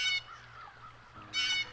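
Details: On a spring day in American woods, an American crow gives two harsh, nasal caws about a second apart over quiet woodland, as birds fall silent and hide from a Cooper's hawk nearby.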